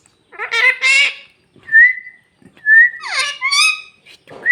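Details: Talking parrot speaking Bhojpuri, mixing harsh rich-toned squawky syllables with clear rising whistles and a steeply falling slurred note, in quick succession.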